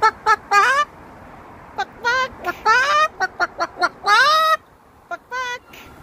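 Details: Happy Moluccan cockatoo giving a rapid series of nasal, clucking and honking calls, some short and clipped, others drawn out and rising, in bursts with brief pauses and a low background hum.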